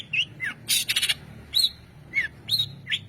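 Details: Varied long-tailed shrike song: short wavering whistles and falling slurs alternate with a burst of harsh buzzy notes near the start, each phrase separated by brief pauses.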